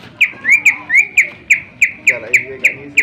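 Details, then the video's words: Greater green leafbird singing to provoke other birds: loud sharp downslurred whistled notes, some upslurred, repeated roughly three per second in an even, insistent rhythm over a faint low background. "cucak ijo gacor full suara tajam cocok untuk pancingan agar burung gacor dan emosi"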